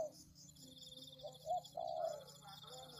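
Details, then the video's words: Spotted dove lure call for tekukur: faint lead-in notes, a short hoot and a longer low coo, then quieter background with a steady high-pitched whine. "Pikat Tekukur"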